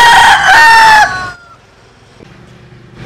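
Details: A single rooster, Vietnamese or American Sil chicken, ends a loud, bright crow whose final note slides downward and trails off into near silence.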